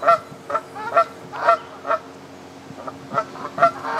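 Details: Canada geese at a pond in Midhurst, West Sussex, England, a quick run of nasal honks about twice a second, briefly pausing, then resuming with a few more honks over low background noise.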